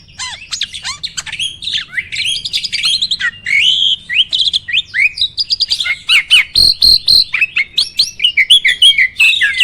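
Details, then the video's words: Starling song used as a training recording to provoke other birds into singing: a rapid, varied run of high chirps, rising and falling whistles and dry clicks, loud and nearly continuous, with a faint low hum underneath. "MASTERAN BURUNG JALAK"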